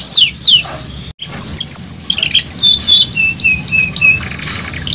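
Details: Stressed canary stimulation song: two steep downward sweeps, then chattering high notes and a series of short level whistles repeated about every third of a second, with constant low background rumble.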